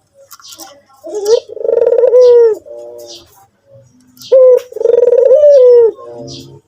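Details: White Barbary dove giving two rolling coos, each opening with a quick rising note, swelling into a long pulsing tone that droops at the end, with soft buzzy tails and faint background rustling.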